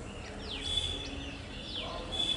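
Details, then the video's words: Bulbul in a garden: a run of quick, high, downslurred chirps repeated several times over two seconds, with a thin steady high-pitched tone running underneath. "Bird watching bulbul in the garden"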